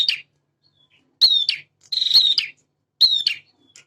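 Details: Energetic male bar-winged prinia singing to provoke untrained birds: short, high, bright chirp phrases roughly every second, some a rapid rattling string of notes, others a pair of sharp sweeping whistles, with clean silence between.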